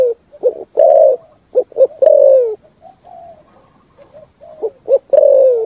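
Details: Spotted dove singing in the 'thúc gù' cooing style, a full song: short hollow coo notes followed by long, drawn-out coos that slide downward, in phrases with brief pauses between them.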